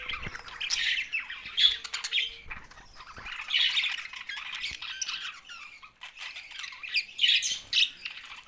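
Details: Budgerigars chirping in three or four distinct bursts of high, rasping warbles, each lasting about a second, with brief quieter gaps between them.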